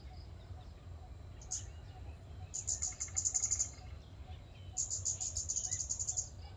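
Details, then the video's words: Scarlet-backed flowerpecker calling in a public park: thin, very high, sharp ticking notes in fast runs, one short burst then two longer rattling series, over low steady background rumble. "เสียงนกชมภูสวน(กาฝาก) Scarlet-backed Flowerpecker"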